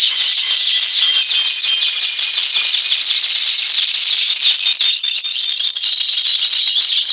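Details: Timbrado canary giving power song in February 2012: a long unbroken stream of fast bubbling trills and rolls, steady and intense from start to finish.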